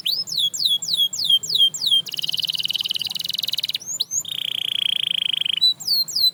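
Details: Canary singing to spur others on: a string of falling whistled notes, then a dense buzzing trill, followed by a long steady rolling note and a few more swooping whistles.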